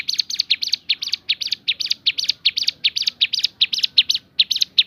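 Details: Bar-winged prinia giving the 'tembakan' variation: quick bursts of harsh, chattering notes, often paired, repeated rapidly and loudly with short gaps between groups.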